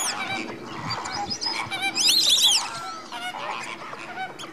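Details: Greater flamingo flock at Slimbridge in January 2016, active before bedtime: overlapping nasal, goose-like honks in a steady chorus, with a burst of higher arched, squealing notes around the middle.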